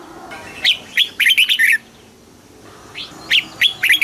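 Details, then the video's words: Red-whiskered bulbul singing a southern master-style phrase in Thailand, played to stimulate caged birds: a quick run of bright, slurred whistled notes, a pause, then the run begins again. "เสียงนกกรงหัวจุก สำหรับต่อ หรือ เปิดให้นกคึก เสียงเพราะๆ"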